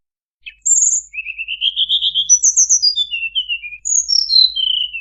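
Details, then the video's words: Bar-winged prinia call used as a trapping lure: a high thin note, then a rapid rising trill and strings of quick, high chirps stepping down in pitch, repeated several times a second, with no other sounds. "SUARA PIKAT UNTUK BURUNG TLEDEKAN BAMBU"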